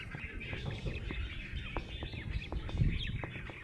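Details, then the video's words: A happy budgie keeps up a steady chatter of thin, buzzy chirps, punctuated by quick tick-like clicks about every fifth of a second, over a low background rumble. "Happy budgie chirping sound"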